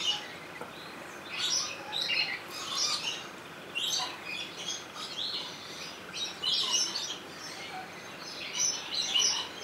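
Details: Rainbow lory in Opole Zoo, Poland, recorded with a Sony HDR-XR160E camcorder: a steady stream of scratchy, high, chattering squawks, bursts coming roughly every second through the whole stretch, loudest near the start and end.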